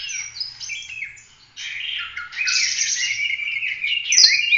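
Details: Oriental magpie-robin giving 'gacor' full roll tembak song as masteran for training other birds: scratchy, buzzy phrases and warbled whistles building in loudness, ending with a click and a high note.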